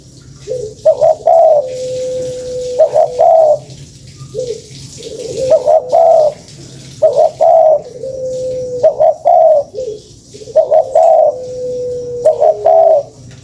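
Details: Spotted dove calling, used as a lure: low coo phrases repeated about every two seconds, each a few throaty notes followed by a long, steady hum.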